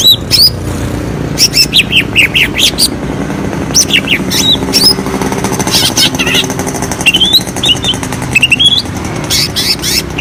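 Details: ['Young spotted greater green leafbird singing as a lure to prompt lazy birds: quick high squeaky notes and slurred whistles in scattered bursts, partly masked by steady engine-like rumble and noise.']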